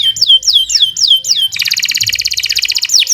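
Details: Canary in full song as a tutor recording: five looping downslurred whistles, then a dense rapid chattering trill of bright high notes, ending with a rising slur.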